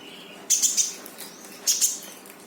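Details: Brown-throated sunbird song intended to coax a silent bird: two loud bursts of rapid high sharp chirps about a second apart, with a faint low hum.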